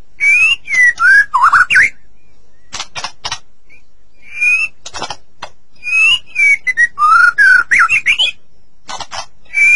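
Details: White-rumped shama, song played to encourage caged shamas: loud clear whistles and twisting slurred notes alternating with clusters of sharp clicks, with brief quiet gaps between phrases.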